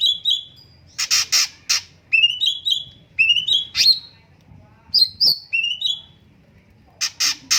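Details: Cucak cungkok song: rising whistled phrases repeated in quick bursts, interspersed with harsh, broad, noisy squeaks, forming a busy, lively sequence with brief gaps.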